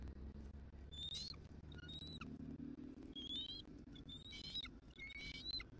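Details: Bald eagle at a wild Southwest Florida nest giving scattered high, squealing whistles amid steady low background rumble, during a nest shift change between the pair.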